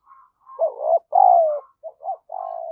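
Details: Spotted dove used as a lure, cooing urgently to excite wild doves: a drawn-out falling coo following clipped notes, then two short hoots and the start of another long coo.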